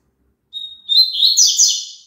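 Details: Song of the double-collared seedeater (papa-capim), played so kept birds join in: one level thin whistle, a short pause, then a quick twittering, slurred run of high notes that fades out, no other sounds.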